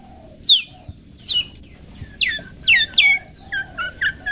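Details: Long-tailed shrike song used for training pet birds to sing: sharp descending whistled notes repeated about every half second, then shorter lower buzzy chirps.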